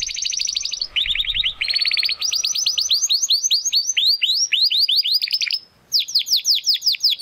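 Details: Young Spanish Timbrado canary in the Classico style trying to find its full song: rapid rolling trills that shift between steady and downward-sweeping notes, with brief pauses between phrases.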